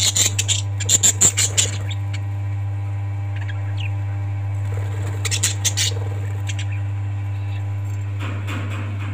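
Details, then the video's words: Parrots give bursts of rapid, harsh chirps: a quick run at the start and another cluster midway, separated by quieter gaps, over a constant low hum. "Parrots 🐦 Sound"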